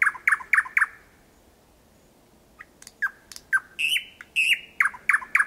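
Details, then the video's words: Thrush nightingale in night song at 01:23 on 8 May 2020, Kiili parish, Estonia, recorded from 4–5 metres: four quick loud repeated notes, a silent pause, then clicking notes and ringing repeated phrases resuming, with no other sounds. "Ööbik väga lähedal laulmas"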